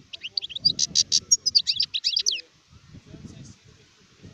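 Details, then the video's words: Adult European goldfinch song from 2019: a rapid run of bright, liquid twitters and short buzzy notes lasting about two and a half seconds, then quiet with faint low background murmuring. "تغريد حسون كهل (شارف)"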